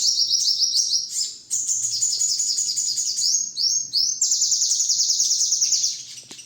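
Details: Sogon, or crimson sunbird, in a master recording used to train songbirds: fast high-pitched chattering song of quickly repeated, slurred chips and trills running nearly unbroken, with brief dips between phrases.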